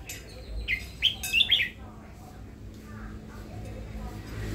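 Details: Caged red-whiskered bulbul, a new bird kept for its voice, gives a short burst of bright, chirpy whistled notes lasting under a second, then falls quiet over a low steady hum and faint background noise.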